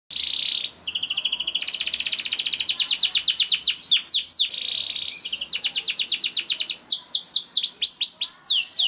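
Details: Canary, a young bird, singing to prompt other canaries to sing: fast trills of descending whistled notes, changing speed between phrases, with a bright buzzy sustained tone near the start and middle.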